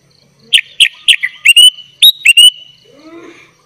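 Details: Sooty-headed bulbul song, a vigorous full filler-style recording used as a tutor for young bulbuls: a series of short, bright whistled notes, several sliding upward, delivered in a quick uneven burst, followed by faint softer notes.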